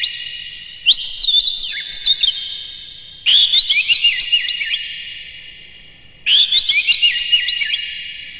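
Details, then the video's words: Oriental magpie-robin song used as a morning lure for captive birds: three similar bursts about every three seconds, each a sharp whistled onset followed by quick tumbling notes. "suara PAGI!! KACER Gacor Master PANCINGAN Buka Ekor KONSLET"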